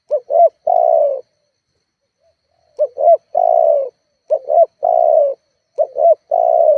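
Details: Spotted dove cooing, a call meant to provoke rivals and used as a lure to get other spotted doves calling. Four phrases, each two short, bouncing coos then one long, falling, drawn-out coo, with quiet gaps between.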